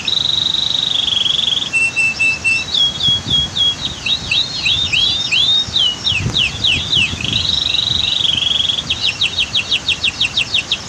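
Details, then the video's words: Canary in full song over waterfall and dam ambience, recorded for training other birds: a sustained pure whistle opens, then looping chirps of varied pitch, another long tone, and a fast buzzy trill at the end, with a gentle water rush beneath. "Masteran Kicau KENARI"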